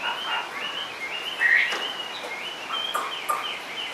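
A Chinese hwamei sings a loud, varied run of clear whistles and slurred phrases, rising and falling between mid and high pitch, with a faint hiss behind.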